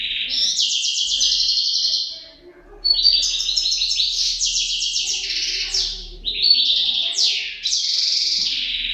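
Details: Pair of European goldfinches: continuous high, rapid twittering song with chattering trills and buzzy notes in several run-on phrases, one brief lull.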